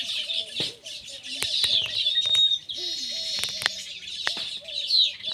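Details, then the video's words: Baya weaver chattering: dense buzzy, sizzling notes around high pitch with sharp clicks and short whistled strands, continuous through the clip, with faint lower chirps from other birds beneath. "Baya weaver bird"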